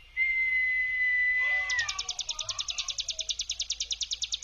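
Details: A long, flat, pure whistled tone opens this Bar-winged prinia lure recording, then gives way to the 'brem' song: a fast, even, high-pitched pulsed buzzing trill that carries on to the end.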